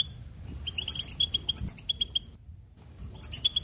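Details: Goldfinch trilling: a string of rapid high twittering notes repeated about three times a second, a short silence, then a fresh burst of the same bright chirps.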